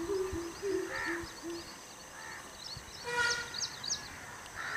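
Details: A Greater coucal (Centropus sinensis) gives a quick series of about six deep, hollow hoots in under two seconds, with small birds chirping high in the background.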